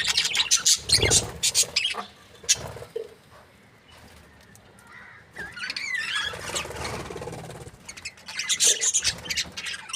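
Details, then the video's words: Budgerigars from a breeding pair squawk sharply in the opening seconds. After a quieter stretch comes a run of fluid warbling and chattering, then more squawks at the end. "Happy budgie chirping sounds 🦜| breeding pair"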